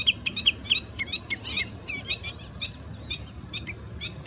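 Common redshank giving a rapid, uneven run of sharp, high piping notes, several per second, over faint low background rumble.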